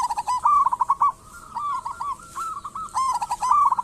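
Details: Local zebra dove in lively song, a lure to make caged doves sound off: three quick runs of bubbling, stuttered coos with a softer middle phrase and barely any pause.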